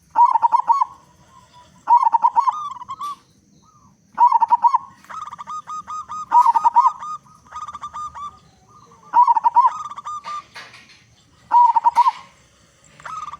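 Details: Frequently singing local zebra dove with a big voice, meant to lure other zebra doves into singing. Cooing phrases of rapid staccato notes, each ending in a drawn tail, repeat about every two and a half seconds.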